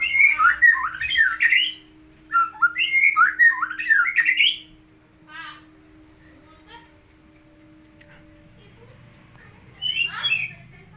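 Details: White-rumped shama singing masteran tutor song: two bursts of rapid, warbled whistles and harsh notes in the first half, then near silence with a faint hum and one short final phrase.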